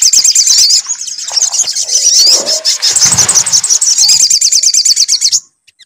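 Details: Sunbird song as a lure to prompt singing: an unbroken, high, fast chattering trill of over five seconds with thin whistled slurs, a faint low rumble midway, then silence.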